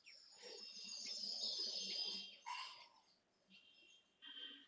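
A tailorbird gives quick, high, sharp chirps in a busy run of about three notes a second, then a few clearer repeated notes after a short pause.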